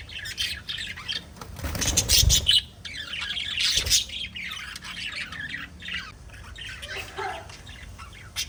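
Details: Several pet budgies chirp at once, with bursts of raspy squawks and bright chirps and a louder thumping noise near the middle, then the chatter softens toward the end.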